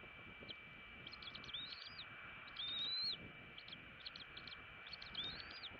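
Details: Bald eagle chicks in a nest in Southwest Florida begging for breakfast at 6:49 am on 6 January 2018, filmed by a nest camera: thin, high chirps in quick bursts with a few longer rising squeals, over a steady electronic hum and rumbling background.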